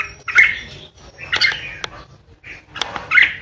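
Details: Red-whiskered bulbul, a kept decoy bird, giving ché-style song: a few bright, slurred warbled notes in short bursts with brief silent gaps between them.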